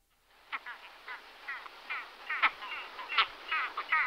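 Great skua giving harsh, nasal, gull-like calls in quick bursts, roughly one to three a second, over a steady background hiss.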